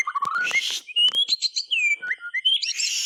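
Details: Lively white-rumped shama song used as a prompt for silent birds: low rising whistles, scratchy bursts, clear slurred notes sliding downward, then a rush of high twittering at the end.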